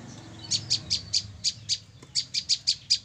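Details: Female olive-backed tailorbird caught three days earlier, calling a clean series of about twelve sharp, high chip notes spaced evenly with a brief gap midway, in quiet surroundings.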